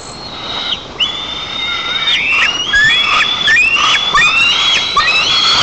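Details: White-tailed eagle chicks on their nest in Nizhnyaya Kama National Park, Tatarstan, filmed by a nest camera on 5 August 2024, greeting the father arriving with fish. Several drawn-out, rising, whistled squeals overlap and tumble over one another in rapid succession.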